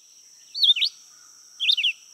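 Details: Red-eyed Vireo singing in summer, a bird that sings short phrases all day from the upper canopy: two short, slurred whistled phrases about a second apart, each rising and falling, over a steady high insect-like hiss.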